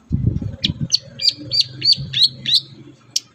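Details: Long-tailed shrike song used to encourage captive birds to start singing: a run of clear chirped notes repeated about three times a second, ending in a sharp note, with low rumbling noise beneath.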